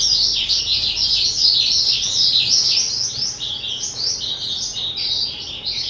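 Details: Two-year-old caged skylark on 18 April 2023 delivering a loud, fast, continuous song of high, rolling, chirruping notes without any pause.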